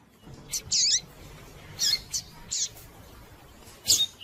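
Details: Calls of a female rusty-collared seedeater, chirping to stimulate a male into song: sharp high chirps and short tangled notes in separate bursts, with quieter gaps, some brief and clipped.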